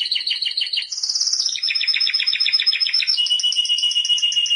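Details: Timbrado canary delivering unbroken song, rolling pulsed trills that step from one high pitch to another, then a lower sustained roll with rapidly repeated notes.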